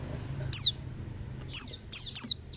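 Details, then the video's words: Four loud, high, descending chirps from a white-eye. A single note is followed about a second later by three close together, over a quiet background. "PLECI APAPUN LANGSUNG NYAUT !! LANGSUNG BUKPAR DEGAR SUARA PLECI INI"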